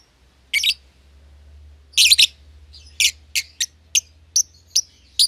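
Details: Young caged lovebird pair, a euwing green opaline and a red-eyed albino, kept together in a cage for one pair after feeding each other; short harsh chirps, a single burst then a quicker run of clipped notes, with low hum beneath.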